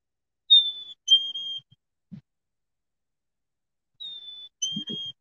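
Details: Black-capped Chickadee song, played in winter: a clear two-note "hey sweetie" whistle, a higher note dropping to a lower one, sung twice, with a few soft low thumps between; the song attracts other chickadees.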